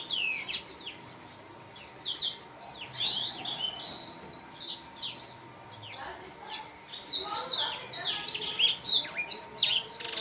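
Black-throated canary singing a fast, high, jumbled twittering song in two long bursts of sweet trills and chirps, with a faint steady hum underneath.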